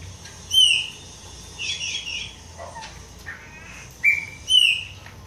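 A Pale-breasted Thrush sings short, clear whistled phrases at a steady high pitch, spaced by brief pauses, with a softer buzzy note between them.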